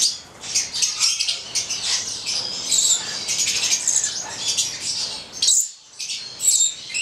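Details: Shrill high chattering and screeching from a captive pair of Stella's lorikeets, subspecies goliathina, a red male and a black female, nearly continuous with a brief pause near the end.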